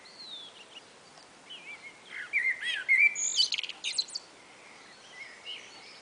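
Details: Spring afternoon exchange between two common blackbirds: faint whistles lead to a loud mid-clip phrase of mellow fluted notes topped with high, rapid twittering, then quieter answering notes fade out.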